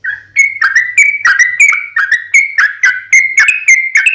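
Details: Sooty-headed bulbul lure song: rapid, unbroken sequence of clipped whistled notes alternating slightly higher and lower, about four per second, with a faint low hum at the start.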